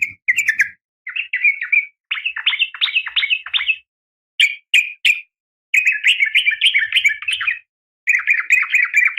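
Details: Female yellow-vented bulbul calling the male, meant to stir caged males into singing. Bubbly chattering phrases broken by short gaps, with brief sharp notes between longer warbled runs.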